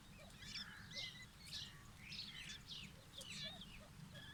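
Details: White partridge chicks fighting give sharp, high chirps and squeaky notes in quick, uneven bursts about every half second, over a steady low background rumble.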